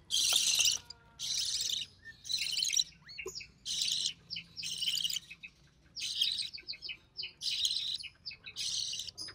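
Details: Young recessive pied budgerigar, sole survivor of three hatched chicks in early June 2020, while its Albino Red Eye mother feeds it: around nine raspy, buzzing outbursts in rhythmic succession, broken by short pauses and small ticks.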